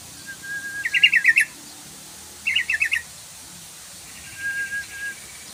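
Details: Yellow-vented bulbul lure call for coaxing song: two dense, fast rattled phrases of pulsed notes, then a softer, fainter rattle near the end.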